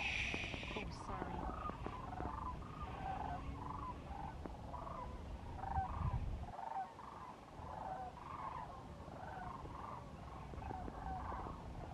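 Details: A large flock of sandhill cranes, close by on Christmas Day, gives overlapping rolling, trumpeting, almost purring rattles, several calls per second, over a low rumble of wind.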